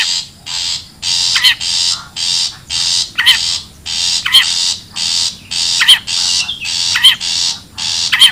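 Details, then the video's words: Wild long-tailed shrike used to lure birds: a long run of scratchy, hissing rasps, about one per second or faster, with shrill, warbling, upslurred notes slipped between them. "SUARA ASLI PIKAT CENDET,PENTET ALAM LIAR"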